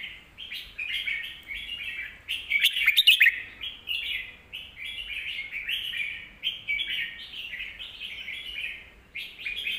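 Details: Song of a red-whiskered bulbul, sung as a lesson for young birds. It is a steady series of short, slurred whistled phrases, with a burst of bright notes and clicks early on.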